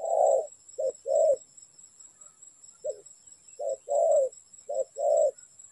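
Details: Spotted dove in a trapping context, cooing low and mellow in short-long pairs, with a long pause midway before calling resumes; a faint steady high-pitched tone sounds throughout.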